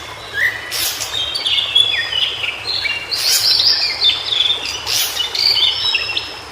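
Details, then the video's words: White-browed shortwing singing in its natural habitat: varied high whistled phrases, some rising and some falling, given in short bursts with sharp clicking notes between them. "Suara Burung Cingcoang Biru Di Habitat Aslinya"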